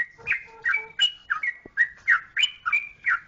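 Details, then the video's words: Lively, bright whistled notes from a yellow-vented bulbul, Jogjakarta trucukan, come roughly three per second. Some have buzzy overtones, and soft steady low whistles accompany the first phrases. "Trucukan Jogjakarta"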